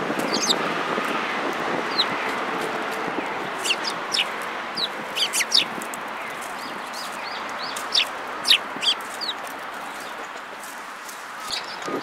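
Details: Sparrows coming to be fed at a Tenmangu shrine on 24 February 2022: short, sharp high chirps scattered irregularly across the recording, sometimes in quick clusters, over a steady low background hum.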